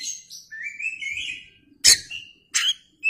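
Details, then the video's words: White-rumped shama, called kacer, with tail spread: a long wavering whistle, then sharp loud chips and a short high note, over faint low hum. "KACER gacor ngeplay buka ekor"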